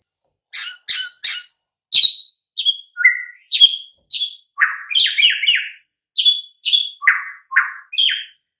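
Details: Training recording of White-rumped shama song meant to get silent, sluggish birds singing back at once: a rapid series of short, sharp high chips and clear whistled notes, clipped phrases separated by brief gaps.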